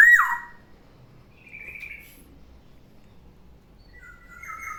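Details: Black-naped oriole kept as a pet, singing in the morning: one loud, rich downslurred whistle, then soft, scattered high notes and a faint warbled phrase near the end over low background hum.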